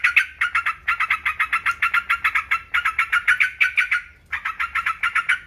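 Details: Yellow-vented bulbul chattering in long runs of quick, buzzy paired notes, nearly continuous for four seconds, then a short gap before another burst; steady faint hum behind.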